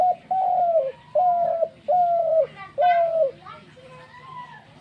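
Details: Four long, hollow dove coos in quick succession, each easing downward in pitch, followed by fainter softer sounds in the background.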